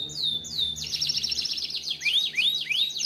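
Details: Song of a Timbrado canary, played for training canaries: two long downslurred whistles open, followed by a dense rolling trill and then three separate looping, rising-falling notes, high-pitched and continuous.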